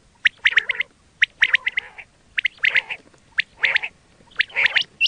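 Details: Quail sound played for hunting, with clusters of harsh chirping notes coming in groups about once a second, each group a quick run of squawky syllables.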